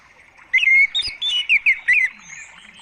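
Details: Orange-headed thrush song used as a lure to make other birds answer: a burst of loud, clear whistled notes around two seconds long, sliding and warbling, with faint twittering in the background.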